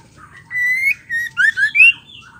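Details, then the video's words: Female white-rumped shama, kept as a bird, calling to stir males into song: a sustained rising whistle followed by short clear whistled slurs and a rising note, over a faint low hum. "pastol Murai batu betina gacor pembuat emosi bikin murai lain emosi ngamuk gacor"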